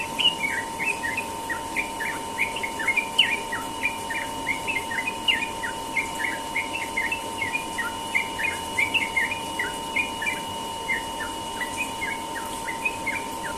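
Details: Sooty-headed bulbul in ropel style at morning, delivering a long, continuous chatter of quick bright chirps and slurred whistles, densely packed and uneven in rhythm, with a constant low hum behind.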